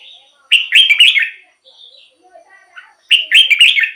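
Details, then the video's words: Red-whiskered bulbul singing, used to stir up caged birds or lure wild ones: two bright, bubbly whistled phrases, rising then dropping, with quiet chirps between them. "เสียงนกกรงหัวจุก สำหรับต่อ หรือ เปิดให้นกคึก เสียงเพราะๆ"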